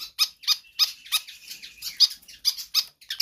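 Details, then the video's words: Pied fantail singing persistently for tutoring or luring birds: sharp, high squeaky notes repeated about every third of a second over a faint thin steady whistle. "Sikatan Kipas GACOR Ngotot"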